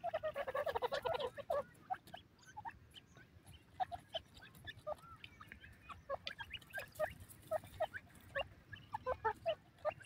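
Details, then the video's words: Grey francolin, called Indian grey partridge, calling: a loud burst of harsh, closely repeated notes at the start, then a steady run of short, sharp clucking notes at a few per second, with faint chirps of other birds behind. "Melodious Grey Partridge Bird Sounds"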